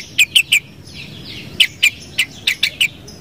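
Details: Sooty-headed bulbul repeating short, crisp whistled notes in quick groups of three, about three groups in three seconds, against soft background twittering.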